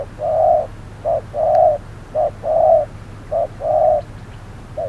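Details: Spotted dove kept as a decoy during trapping at hot noon, calling: rhythmic low coos in short-then-long pairs, four phrases at a steady pace, with faint clicks in the background.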